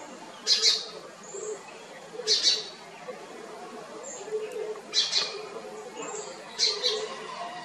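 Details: House sparrow in Kotte, Colombo District, Western Province, Sri Lanka, giving harsh buzzy chirps in short bursts about every two seconds over faint high whistles and a low background murmur.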